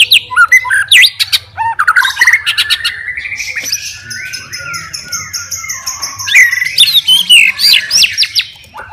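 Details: White-rumped shama singing as a super fighter to provoke rivals; dense jumble of chattering notes and whistles, a sustained high thin tone through the middle, then bursts of quick varied phrases.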